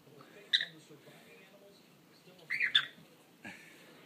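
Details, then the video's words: Pet parrot at home giving a few short, bright chirping and whistled notes with harmonic overtones, clustered in two brief bursts about two seconds apart, separated by quiet room background. "Sammy sings!"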